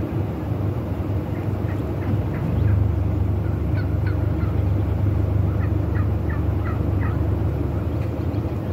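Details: Wild turkey displaying for breeding, with loose clusters of short clucking notes in several bursts, fairly soft beneath a heavy low-pitched rumble.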